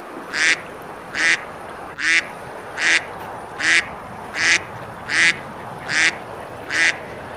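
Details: Summer river scene at Besalú, Spain, where ducks eat and splash; nine evenly spaced, rasping quacks about 0.7 seconds apart ring over a continuous hiss of flowing water.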